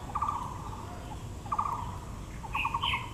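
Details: Taiwan blue magpie calling in Yangmingshan National Park, Taipei, among azalea blossoms: rapid, scratchy rattles in three bursts, with a brief higher squeal near the end over a soft low-pitched background.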